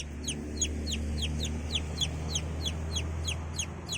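A chick peeps steadily, high descending notes about three per second, over a low constant hum.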